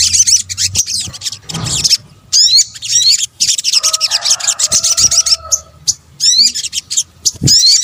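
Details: Sunbird, the Indonesian sogok ontong, in a layered lure track: bursts of thin, high chattering and repeated upward-flicking whistles, broken by short pauses, with a faint lower hum in the background.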